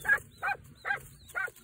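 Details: A broody quail hen sitting on eggs growls in four short, harsh, rasping bursts, about two per second, unhappy at a person too close to her nest, with only a faint low hum beyond.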